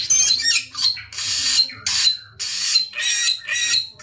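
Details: Dense samyong song: almost continuous harsh, hissing screeches in half-second blocks with brief gaps and a dipping whistle near the middle; low hum beneath.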